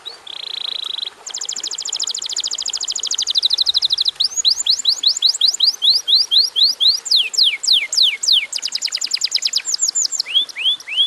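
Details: Fast rolling canary trills at the start give way to repeated sharp downward whistles and rising upslurs, with dense, almost continuous phrases and no other sounds.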